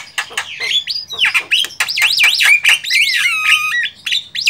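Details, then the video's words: Javan myna (Acridotheres javanicus) in the wild giving a rapid jumble of loud, mostly high whistles, wavering warbles and harsh chattering notes. "JALAK KEBO DI ALAM LIAR"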